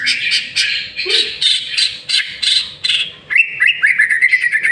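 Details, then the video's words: White-rumped shama lure song, a series of repeated harsh chattering notes about three per second, switching to a fast run of clear, rising whistled notes. "Murai Batu Masteran sekali Pancing Langsung GACOR"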